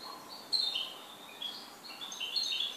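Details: Goldfinch singing a quiet, high twittering warble of short bright notes, some rising and some falling, with a soft hiss of background noise.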